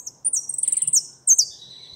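European goldfinch giving a fast, high, tinkling twitter of about a dozen rapid notes, then a brief sharp high note after a pause.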